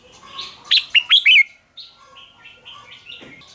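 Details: Contest-singing red-whiskered bulbul gives one loud, quick phrase of four bright, slurred whistles, followed by a run of softer, thinner warbling notes.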